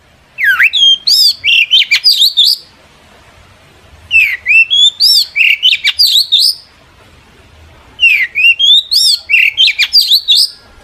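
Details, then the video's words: Long-tailed shrike in full energetic song, used as a lure to make other shrikes answer: bursts of sharp, rising and falling high chirps and whistles, each burst about two seconds long and repeated three times with quiet gaps between. "burung cendet gacor FULL EMOSI pancingan CENDET AGAR NYAUT"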